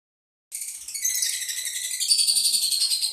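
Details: Lovebird giving a continuous buzzy, rasping trill made of rapid pulses that holds steady for nearly three seconds after a short silence, with faint low noise beneath.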